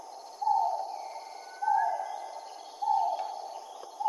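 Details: Great argus giving a series of loud downward-slurred calls, each one sharp at the start and fading off, spaced a little over a second apart, over a constant high insect drone and occasional faint rising whistles.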